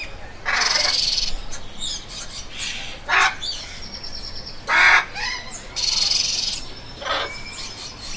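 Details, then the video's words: Loud, raspy parrot squawks, some long and grating, others short harsh bursts, spaced one to two seconds apart, with brief fainter chirps in between. "PSITACÍDEOS - Araras - Cacatuas - Papagaios - Periquitos - Animais da Fazenda - Som Dos Animais"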